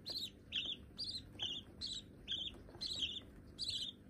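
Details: Young budgerigars, hand-tame chicks said to be white, give rapid harsh chirps about every half second, nasal and buzzy with layered overtones, against faint room noise.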